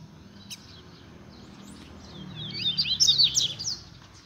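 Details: A Rusty-collared seedeater, a friend's kept songbird, sings one quick, bright phrase of high twittering, slurred notes lasting about a second and a half, over a low background hum.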